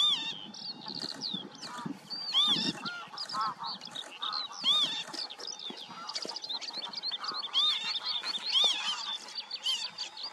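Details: Several nasal, arching calls of the Northern lapwing repeated every second or two, set against a dense background of high chirps, twitters and other bird voices in open countryside.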